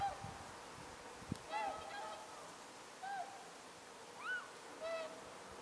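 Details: Whooper swans, a flock arriving at night over Shimokita, Mutsu, Japan, on 15 October 2015, giving scattered honking calls, some rising, with pauses between them; a sharp knock near the start.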